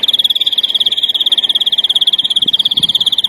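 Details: Sustained larguero song from a European greenfinch, used to educate novice birds: a fast, regular train of bright high-pitched notes running without a break, with slight shifts in loudness and faint low noise underneath.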